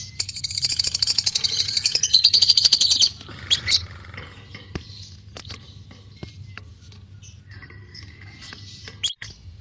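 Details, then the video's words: White-beaked lovebird's ngekek song: a fast, high chattering trill for about three seconds that stops abruptly, followed by scattered short chirps and clicks over a low background hum. "LOVE BIRD ngekek panjang"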